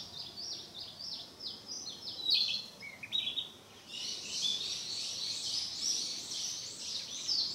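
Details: Narcissus flycatcher practising its song in the mountains: a run of high, quick down-slurred whistled notes repeated about twice a second, a brief lower phrase, then denser, overlapping warbled phrases, with faint background hiss.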